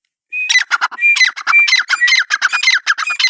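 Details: Francolin, locally called irani teetar, calling loudly: a brief clear whistled note, then rapid harsh, grating rasps several per second, with the whistle-and-rasp pattern repeated through the clip. No other sounds stand out.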